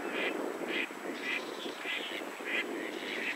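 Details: Goosander calling: a series of about six short, harsh, nasal squawks at an uneven pace of roughly one every half second, over a steady background hiss.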